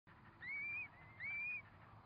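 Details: Curlew at a nest where four chicks are hatching: two clear whistled calls, each rising slightly then holding steady at a high pitch, about half a second apart, over a low background hum.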